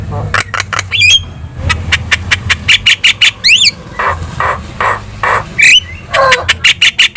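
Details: Javan myna chattering as training sound for other birds to respond to. A run of short, dry clicking notes is broken by quick rising whistles and a zigzag trill, with a low hum behind.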